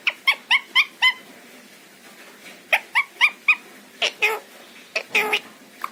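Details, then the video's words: Pet talking parrot that mimics Hindi and English phrases such as 'kya ho gaya mere bachche', 'Radhe Radhe' and 'I love you'. Quick bursts of short, nasal harmonic syllables, then a pause, then more clipped speech-like sounds with a light background hiss. "Talking Parrot :- मिट्ठू क्या हो गया मेरे बच्चे। Kya ho gya mere bachche."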